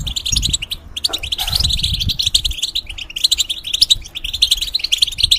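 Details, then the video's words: European goldfinch in a cage, singing as a tutor for young birds and hybrids; a continuous stream of quick twittering, buzzy and tinkling notes, briefly broken near one second, with low rumbling underneath. "The Talk And Sounds Of The Goldfinch"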